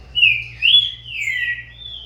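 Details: Green-winged saltator youngster of corvo x fogueira breeding, caged, singing against its father: one smooth, continuous whistled phrase that swoops up and down and then holds a long, slightly falling tone.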